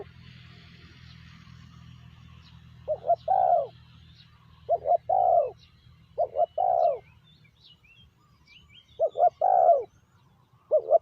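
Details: Spotted dove decoy calling wild doves. A low rumbling hum fills the first seconds, then five phrases follow, each two short notes leading into a longer falling coo, with faint high bird chirps in the background.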